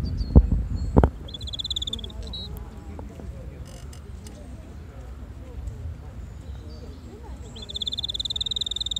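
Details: A hand-tame red canary sings short, rapid, high trills, one early and a longer one at the end, over a steady low rumble and a couple of handling thumps.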